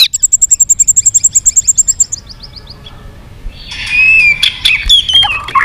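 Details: White-rumped shama singing a fighting song: a fast even trill of high thin notes slowing at its end, a pause, then a dense burst of scratchy warbling with slurred whistles.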